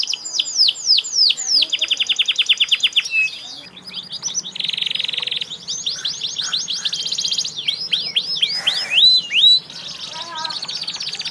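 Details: Canary song of falling whistles and rapid trills, interrupted mid-way by a low steady hum and buzzy noise, with twisting slurred notes and brief noisy bursts later on.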